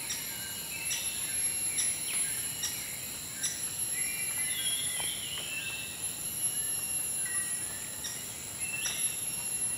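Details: Maroon Woodpecker at Sepilok, Sabah, Borneo, 2 Dec 2013, giving sharp, short notes repeated roughly every second over a steady, shrill insect chorus, with other birds chirping faintly.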